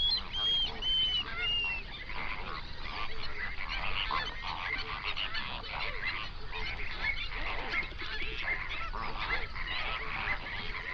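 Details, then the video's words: Flamingo flock on a national park lake in South Africa's Overberg, binaural dawn recording. A steady mass of overlapping honks and chatter, opening with a few higher, drawn-out arched calls. "Flamingo sounds"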